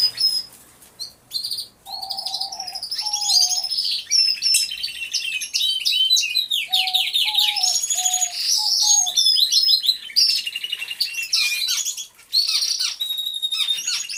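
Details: Many canaries singing together in an aviary, recorded by a hidden camera: dense overlapping high trills and warbles with rapid repeated notes, punctuated by short low steady whistled tones and a few brief pauses.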